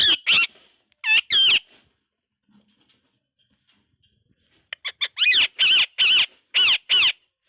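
An Indian ringneck parakeet speaks in shrill, nasal phrases: a quick burst of syllables, a three-second pause, then a louder run of about seven clipped words.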